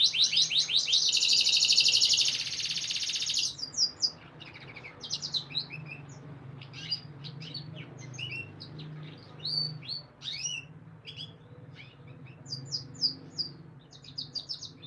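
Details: Canary singing for breeding conditioning to encourage female mating instincts: an opening loud rapid rolled trill, then scattered sharp chirps, slurred whistles and short trills at varied pitches, with a faint low hum underneath.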